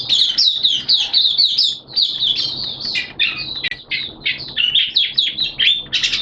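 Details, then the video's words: Oriental white-eye singing in captivity on a rainy, erratic-weather day, 11 September 2022: rapid stream of high, squeaky chirps, several per second, with short sweeping whistles near the end. "Mata Puteh T-Rex Buka Sing"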